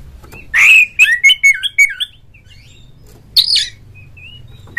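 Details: Oriental magpie-robin singing strongly, used to prompt other magpie-robins to sing: a loud harsh note, a run of short clipped whistles with downward slurs, a pause, then a scratchy burst and thin whistles.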